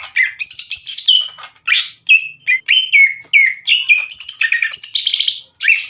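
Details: Lively greater green leafbird song played as a lure to excite other leafbirds, a fast stream of sweet whistles and sharp downslurred notes, bursts separated by short gaps, some buzzy harmonic phrases near the end.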